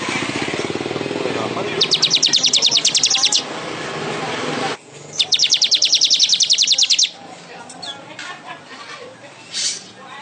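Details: Weaver delivering two bursts of rapid, dry, high ticking notes, each over a second long, against a background of low murmuring and noise, with scattered faint chirps afterward.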